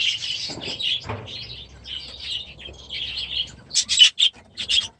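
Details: Grown-up baby budgerigars settling into a new aviary in their first days; bursts of buzzy, warbled chatter, then a few sharp, loud chirps near the end, with brief soft fluttering.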